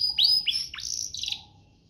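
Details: Short canary song burst, a rich "cengkok" phrase meant for tutoring young canaries: three quick upward-sweeping whistled notes followed by a dense buzzy roll that fades away.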